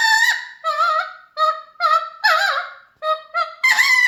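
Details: Mealy Amazon parrot singing at home, repeated loud honking syllables with rich harmonics and bending pitch, about eight phrases in four seconds.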